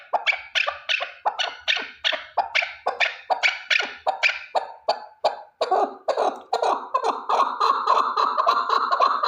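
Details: Continuous rhythmic cackling from a single male chukar partridge: loud grating chuck notes about two per second that run together into a dense, excited chatter near the end.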